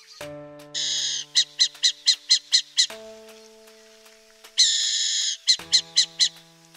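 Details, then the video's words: A wild burrowing owl in Brazil gives a harsh, rasping screech followed by about seven quick, sharp chattering notes. The sequence comes twice, over a faint low steady hum. "CORUJA-BURAQUEIRA (ATHENE CUNICULARIA), BURROWING OWL"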